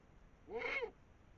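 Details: A Eurasian eagle-owl above the Moselle valley around 5 a.m. on 21 March 2022, while a female and male feed on a brown rat, gives one brief, hoarse, arched half-second call, rising then falling, against faint hiss.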